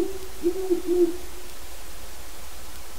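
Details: Wild Great horned owl visiting the territory of a captive breeding pair, hooting from the yard: a few soft, low hoots in a short burst early on, then quiet with steady low background hum.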